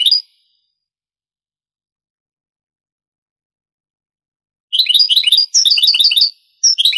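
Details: European goldfinch, Granada-style song from a Spanish 1980s–90s tape: a long silence, then rapid, jangling, twittered phrases near the end, with short breaks between them.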